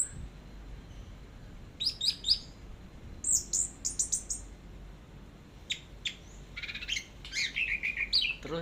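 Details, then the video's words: Orange-headed thrush singing in the teler style, a long tutor recording: varied, very high, sharp chirps and short whistled phrases in loose bursts, with brief pauses between clusters and a man's voice calling out in the background. "BURUNG ANIS MERAH TELER"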